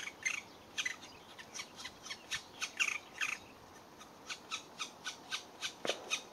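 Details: Black woodpecker young beg with harsh, hissy rasps repeated about twice a second while being fed by an adult; a faint steady high whine runs underneath.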